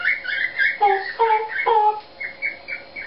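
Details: Pet Eclectus parrot performing a self-invented song: a rhythmic string of short harmonic whistled notes and buzzy squawks, roughly three clear phrases in the first two seconds, followed by softer, higher chirps.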